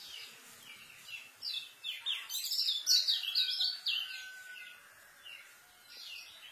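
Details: White-eye pouring out quick, high, twittering notes in a dense central burst of about two seconds. It is fast song meant for tutoring newly kept white-eyes. Softer chirps come before and after, with a faint thin whistle underneath.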